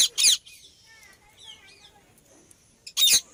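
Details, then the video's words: Indian ringneck parakeet with a harsh screech at the start and another near the end, separated by soft chattering and a quiet, wavering whistle. "Parrot Chirping Sound Effect"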